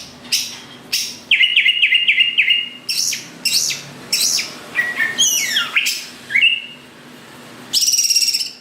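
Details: Greater green leafbird singing to provoke rivals into song: sharp clicks, a trill of repeated whistled notes, varied slurred phrases including a fast descending series, and a closing high buzzy trill, over faint low hum.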